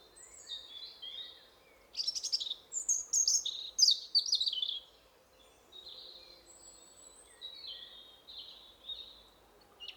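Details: Territorial song of a European robin in a spring woodland, with another robin replying at a distance. A rich, musical phrase of crystalline whistles and fast jingling trills is followed by softer, drawn-out high notes.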